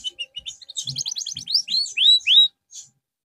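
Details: Canary song used to restore a bird's form: a fast run of clipped chirps that speeds into rising notes, ending in two loud, long upward-swept whistles and a faint final call.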